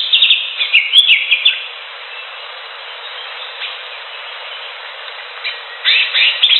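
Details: Greater green leafbird singing in the wild: a rapid chattering phrase of high notes at the start, a long quiet gap with faint hiss, then another quick burst of bright twitters.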